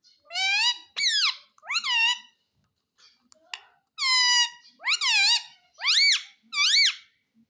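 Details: Talking parrot asking for roti: a series of shrill, arching squeaky syllables, each about half a second, given in spaced bursts in a quiet indoor room.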